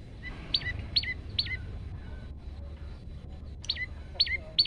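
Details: Male olive-backed tailorbird, recorded on a phone as a tutor for other birds: a quieter stretch with three sharp descending notes, a gap of low rumble, then three more.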